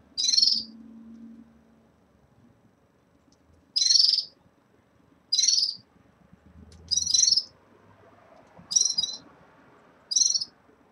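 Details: Caged red-fronted serins starting their moult: six separate high, buzzy, slightly trilled chirps spaced roughly one to two seconds apart, with faint low room noise between them.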